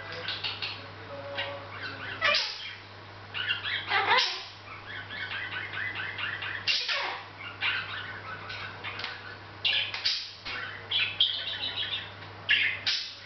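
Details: Pet Hahn's macaw in a long bout of self-directed chatter, mixing rapid raspy chirps, harsh squawks and quieter mumbled notes over thirteen seconds, with brief pauses and a steady low background hum.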